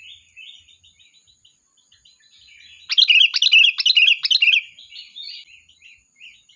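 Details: Sooty-headed bulbul in lively song as a flock-calling lure. Soft chattering gives way to a loud, fast burst of bubbly, rapid chirps lasting nearly two seconds, then quieter warbling twitters.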